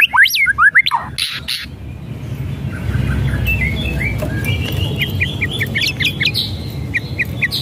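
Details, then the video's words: White-rumped shama lure song meant to make a lazy bird sing: loud swooping whistles and rattles at the start, then a faint series of short, evenly spaced high chips over a low rumble. "SIULAN DAN KRETEKAN MURAI BATU | pancingan murai batu malas bunyi"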